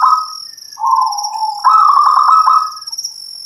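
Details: Local perkutut, a zebra dove, giving continuous trilled cooing: a short purr, a longer low rolling note, then a higher pulsing trill. A steady shrill insect-like tone runs high above throughout.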